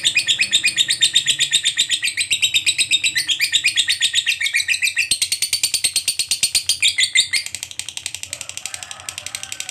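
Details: Fighter lovebird's long ngekek, used as therapy so stalled lovebirds sing: a sustained, piercing, rapid chatter that grows faster and denser, softening slightly toward the end.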